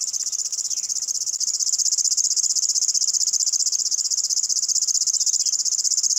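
River warbler reeling without a break, a dry, high, insect-like rapid chuffing. A few faint, brief notes from other birds sit underneath.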